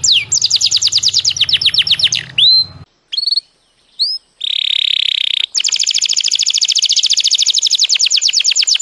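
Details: Belgian canary song for training young birds: a fast high trill dropping in pitch, short whistled upslurs after a gap, a steady buzz, then a long rapid rolling trill.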